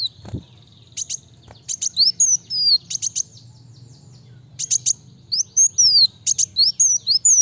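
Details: Kolibri wulung sunbird singing busily at a fast, dense pace: sharp high double ticks alternating with thin whistled slurs that glide downward, in bursts separated by short pauses, with a soft thump near the start.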